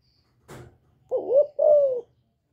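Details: Female spotted dove calling to excite males; one sharp tap, then two rich, low coos, the first dipping and rising, the second longer and gently falling.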